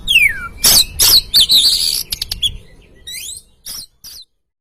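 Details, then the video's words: Oriental magpie-robin song used as a lure to stir a caged bird to sing: a falling whistle, then loud varied notes and rapid chips, tailing off into short separate calls before silence. "Pancingan Burung Kacer Bahan"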